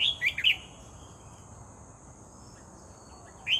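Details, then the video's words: Red-whiskered bulbul, newly caught by trapping and described as an eager singer, gives a quick cluster of bright, warbled notes in the first half-second, falls silent over a steady high hum, then adds one more note at the end. "MERBAH JAMBUL GACOR"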